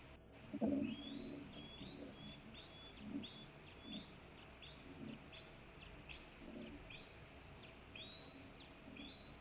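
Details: Eagle fledgling in Maine, about nine weeks old, calling from near the nest while an adult eats a squirrel there, July afternoon around 4 pm; a steady series of thin, high whistled notes, rising then level, repeated roughly every second.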